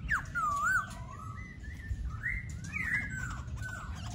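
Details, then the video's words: Laughingthrush singing: a run of clear whistled phrases that swoop up and down, one bright looping note followed by smoother slurred whistles, over a steady low background rumble. "Khướu Hót"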